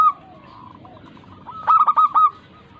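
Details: Local zebra dove singing as a lure for reluctant doves: a faint drawn-out coo, a soft pause, then one bright burst of four or five rapid clipped coos.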